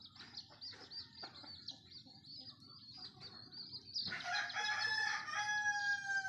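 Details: Chicken crowing at first light, taken as the sign that morning is near: high bird chirps repeat quickly for four seconds, then a rooster bursts into a strong, rich, sustained crow that carries to the end.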